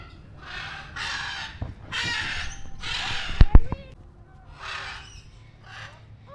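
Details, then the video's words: Many macaws calling together at the entrance of a mini zoo in Newtown, Kolkata: harsh, raspy squawks in bursts about once a second, with sharp knocking sounds in the middle and a low background murmur. "তো মাকাও পাখির আওয়াজ প্রচুর মাকাও পাখি আছে একসাথে সবাই ডাকছে আওয়াজটা পুরো পার্ক চেটে যেন প্রতিধ্বনিত হচ্ছে"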